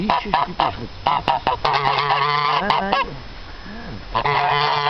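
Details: A pair of geese honks loudly: short clipped notes at first, then long, nasal, buzzy honks held for about a second, a brief pause, and more drawn-out honking near the end.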